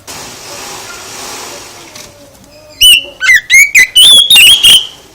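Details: Oriental magpie-robin song used to prompt other birds to answer: after a few seconds of faint background noise, loud sliding whistles rise and fall in quick succession.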